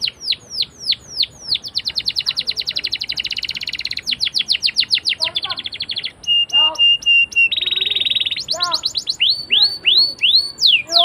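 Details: Canary in full song, used as a lure for young canaries learning to sing, long rolling style: descending whistled sweeps, then a fast buzzy trill, sustained steady notes and a dense rolled passage, more downslurred sweeps at the end.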